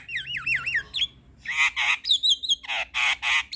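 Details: Gacor white-eyed Javan myna with full fills, nodding as it sings: opens with three wavering whistled swoops, then a string of loud harsh squawks and a bright high whistle between them.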